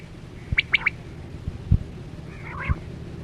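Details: Quail (chora batera) lure call from net hunting in the 2024-25 season: one quick, sharp three-note whistled phrase, then a fainter, softer call, over low thumps and steady rumbling background noise.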